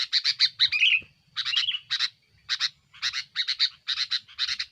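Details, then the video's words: Lure recording of a sooty-headed bulbul's aggressive song meant to press rivals: clustered, rapid chirping bursts separated by brief pauses, with one slurred whistled note near the start. "suara burung kutilang gacor"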